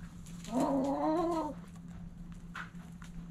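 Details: Backyard hen at morning sunrise giving one drawn-out, wavering harmonic cluck lasting about a second, followed by quiet scratching and rustling over a constant low hum.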